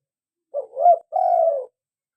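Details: A single phrase from a local spotted dove in full voice: a soft low note, a rising bubbling middle note, and a brief pause, then a long steady throaty coo.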